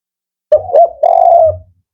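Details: Male spotted dove, 'Kuk 4' type, described as firm and rhythmic. Two brief soft notes, then a sustained low coo that tails off.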